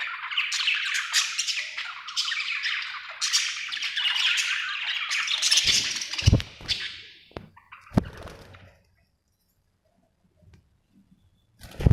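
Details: Happy budgerigar twittering in scratchy, buzzy chatter for about six seconds, then a few thumps and clicks, near silence, and a final sharp chirp.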